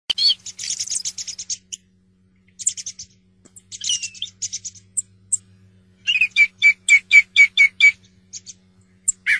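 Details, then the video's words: Song thrush singing: bright, high twittering phrases, then one clear note repeated about eight times in quick succession, with a faint steady low hum underneath. "صوت السمنة المغردة"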